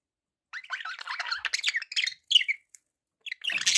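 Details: Budgerigars kept as pets give a quick run of scratchy chirps and warbled squawks, a brief pause, then a harsh burst of chatter at the end.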